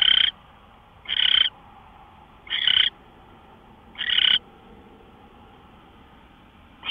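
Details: Owl at 5:27 AM, March 24, 2013, uttering a run of scratchy, breathy hisses, five to six bursts about a third of a second each, spaced near one and a half seconds, then a pause with faint hum.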